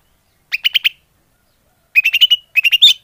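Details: Greater green leafbird lure recording: three short bursts of quick, bright chirps, four or five notes each, the last burst ending on a higher, squeakier note.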